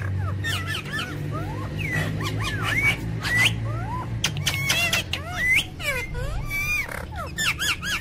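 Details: ['Talking ring-necked parakeet, called funny and angry, gives a long jumble of bent whistled syllables and quick up-down glides, broken by sharp clicks and rasps, with a constant low hum underneath.']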